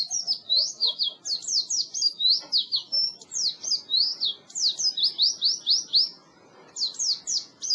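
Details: Oriental white-eye song meant to train silent birds: long fast runs of high, sharply slurred twittering notes, nearly continuous, ending in a short pause then one more burst.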